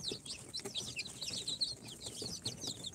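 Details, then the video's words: Newly hatched chicks on their fourth day out of an incubator, a mix of Sultan, golden Sebright, Cochin and booted chicks: many overlapping thin, high peeps and chirps in a dense continuous chatter, fairly quiet, with faint low rustling. "Chicks hatched from the incubator- Day 4 - Tatlı Civcivler - Cute chicks🐥- كتاكيت"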